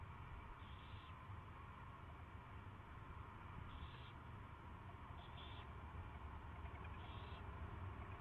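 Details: Owl at its first feeding, afternoon of February 24, 2016; four short rasping hisses spread over eight seconds, one doubled, against a steady low rumble.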